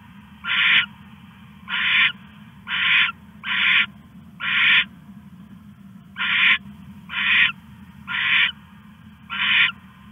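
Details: Owl stashing a rat at 1:41 AM, 21 August 2015, keeps up a string of ten short, raspy screeches, roughly one per second with a brief gap midway, above a low steady hum.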